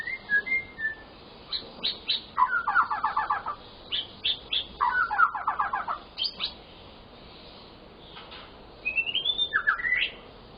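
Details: White-rumped shama, a cage bird, in full varied song meant to stimulate silent shamas to sing: clear whistles, rapid trills of repeated notes around mid pitch, and rising slurred phrases separated by short pauses.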